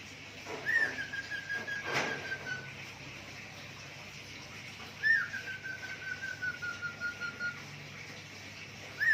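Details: Pet budgerigar imitating zebra dove and gecko voices: two sharp upswept whistles, each trailing into a long, faint, gradually falling whistle made of soft pulses, with one brief click-like burst and low background hum.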